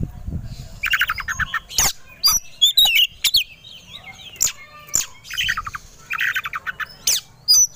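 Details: White-rumped shama (kacer) stirred to aggressive, fight-ready singing: buzzy rattling phrases, sharp clicks and thin high whistles in irregular bursts, with a low rumble at the start.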